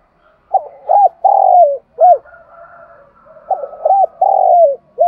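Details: Spotted dove used as a decoy, calling the flock at morning: two repeated low cooing phrases, each a quick double note, a round hoot, a long sliding coo and a short closing note, with a faint hum between.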